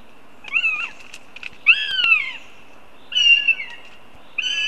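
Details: Young northern goshawks, siblings (one male, two females), meeting in July near Riga, Latvia: four drawn-out, whining calls, each sliding downward in pitch, about one to one and a half seconds apart, over a quiet background.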